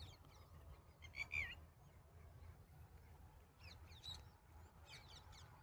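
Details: Several birds chirp in short, high, bright bursts scattered through the clip in the countryside at evening sunset, over a steady low rumble of background noise.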